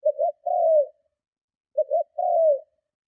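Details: Spotted dove giving strong cooing meant to lure and provoke other doves: two short low hoots followed by a long drawn coo sliding slightly downward, the phrase given twice, clean with no other sounds.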